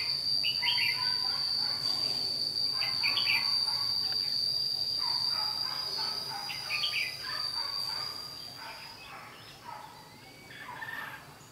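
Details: Red-whiskered bulbul singing as a decoy in a fight trap in Vietnam; short bright warbled phrases repeated every second or two, under a loud steady high insect-like whine and background hiss.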